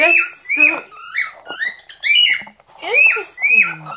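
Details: A pet cockatiel (Nymphicus hollandicus) sings a varied, improvised run of bright whistles, chirps and rising-falling warbled notes, one of the new songs he invents every few weeks.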